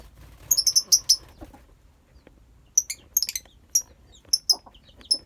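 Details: Lovebirds in a colony chattering with many high, squeaky chirps in quick overlapping bursts, a short lull in the middle, then more rapid shrill notes.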